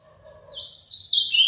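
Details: Young Azulão (Blue-black Grosbeak relative, pardo plumage) beginning to sing: a short warbled phrase rising from faint to loud, with bright chirpy notes wavering high.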